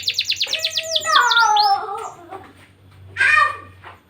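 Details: Canary lure song for stirring breeding urge in young birds; a quick series of descending high notes leads into lower, richer warbled phrases, a pause, then a short burst of mixed chattering notes.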